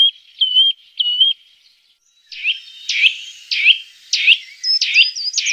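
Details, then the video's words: Eurasian nuthatch calls offered as a lure: two clear whistled notes with a flat tail, a short pause, then a series of sharp, downward-slurred whistles repeated about every half second. "Reclamo Del Trepador Azul (Sitta Europaea) El Mejor Para Llamar"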